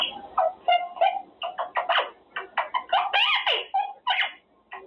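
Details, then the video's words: A pet male Quaker parrot rehearses words while in his cage: rapid raspy syllables run together in speech-like phrases, with rising and falling pitch. "Parrot practicing words - Talking Quaker parrot"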